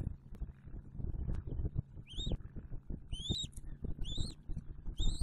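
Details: At a nest with a just-hatched eaglet, December 2022, a bald eagle utters four or five shrill rising whistles in the second half, following low rumbling and knocking sounds.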